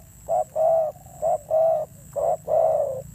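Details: Fierce thổ gù cooing from a wild-caught spotted dove: three close pairs of low hooting notes, each a short coo leading into a fuller, longer one, evenly paced and loud.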